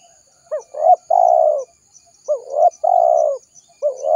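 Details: Ranting spotted dove used to attract wild doves: repeated phrases of a quick rising note, a swelling coo and a long level coo that drops at its end, roughly every one and a half seconds.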